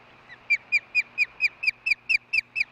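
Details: After her mate's fish delivery at the Hellgate nest, a female osprey gives a steady run of sharp, slightly downslurred buzzy notes, about four per second, with no other sounds.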